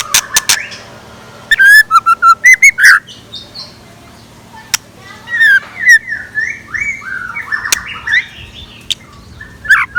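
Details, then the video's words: Scarlet minivet decoy song recorded in the morning: a rapid run of loud, piercing whistled notes, then quieter varied chirps and slurred whistles, ending with another loud note. "Tiếng Chim Chèo Lửa Mồi Hót Sáng"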